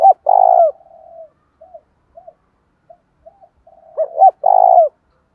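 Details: Decoy spotted dove calling to attract males, local-style voice: a loud, throaty, drawn-out coo, then a trail of faint murmured notes, and another emphatic phrase of two quick notes and a long hoarse coo near the end.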